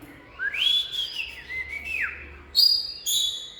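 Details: Oriental magpie-robin singing: rising then falling whistled notes, a downward-sliding slur, then two bright, sharp, high phrases near the end, with faint low background hum.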